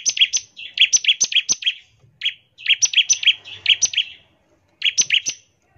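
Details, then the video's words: Bar-winged prinia singing as a lure for other prinias, short phrases of paired high and lower chirping notes, about three and a half notes per second, broken by short silences. "ciblek gacor, nembak NGEBREN untuk pancingan ciblek agar cepat bunyi"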